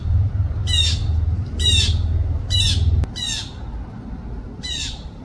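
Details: Blue jay in Florida: five harsh, raspy jay calls about a second apart, over a low rumble that fades midway.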